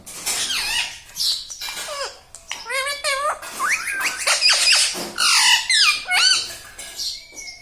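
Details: Pet ringneck parrot indoors speaking taught words such as mummy, papa and radhe radhe; a continuous stream of chattery, wavering and rising squeaks, ending with a long, steady whistled tone.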